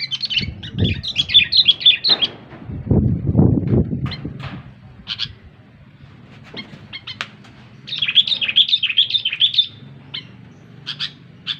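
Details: Sooty-headed bulbul giving short chattering whistled phrases separated by long gaps, with thumping low knocks and rustling early on and a quieter stretch in the middle.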